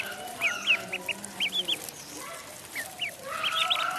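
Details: Pond duckling peeping: thin, high, up-and-down notes in short runs, clustered in paired and triple bursts with brief pauses between, over faint background hum.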